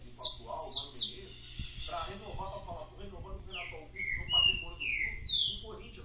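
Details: Saffron finch singing: a few sharp high chirps at the start, then a pause under Portuguese speech, followed by a run of bright downslurred whistled notes. A steady low hum runs throughout.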